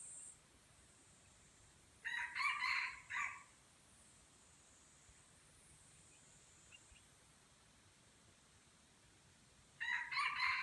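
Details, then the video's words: Aceh jungle fowl in a crowing contest at Kuta Malaka: two harsh, multi-part crows about eight seconds apart, separated by quiet stretches of faint background hiss. "Ayam Hutan Aceh # Perang Kokok"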